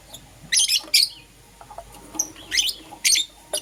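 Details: Euwing Green Opaline and Lutino lovebirds chirping in the morning: dense, harsh, high-pitched squeaky bursts in close pairs, an almost continuous chatter of shrill notes across the few seconds.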